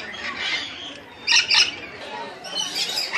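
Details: Lorikeets being fed from cups by zoo visitors at Columbus zoo; a pair of loud rasping squawks in the middle amid continuous high chatter from the flock.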